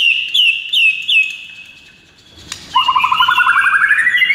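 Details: Morning masteran training song from an actively singing white-rumped shama: three high, ringing downslurred whistles, a pause and a click, then a fast rising trill of rapidly repeated notes.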